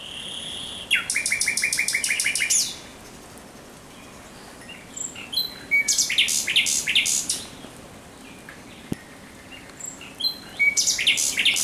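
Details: Thrush nightingale at night, 17 May 2023, singing three separate phrases, each a loud rapid series of repeated sharp downward strokes, split by pauses of a few seconds, with soft high notes between.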